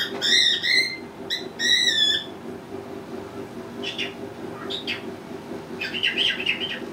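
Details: Male pet cockatiel in his cage practicing learned phrases indoors; loud ringing whistled notes rise then fall in two phrases, followed by shorter chirping and chattering bursts, with a steady low hum in the background.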